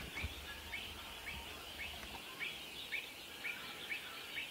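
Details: Avocets, Pied, protecting young and disputing territory: a rapid run of short, sharp, high piping calls, roughly two each second and slightly uneven, over steady background hiss.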